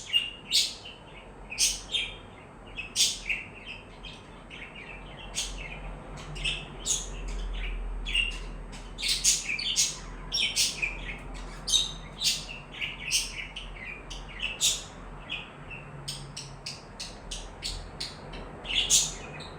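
Budgerigars chirp in quick, bright bursts of high, scratchy notes, repeated many times with little pause.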